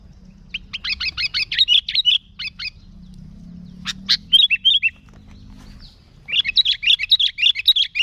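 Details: Sooty-headed bulbul song to lure bulbuls: rapid rattling series of chattering notes, a pause with low hum and a few sharp chips, then another fast chattering run.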